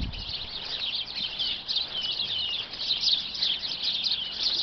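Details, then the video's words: Sparrows, around twenty of them tucked out of sight in a bush, make a steady shimmering chorus of quick, high chirps that swell and ease slightly in loudness, with almost no other sound. "Listen to the bush of sparrows tweeting."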